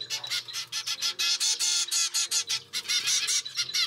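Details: A grey zebra finch chick from a second brood, with pied parents, begs for food with rapid, harsh, high buzzy notes, about four to five per second, in a near-continuous raspy stream.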